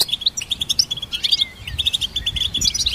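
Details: Goldfinch twittering steadily, about two notes each second in runs of bright short chips, with a thin drawn-out slurred note midway and a faint low bump late on.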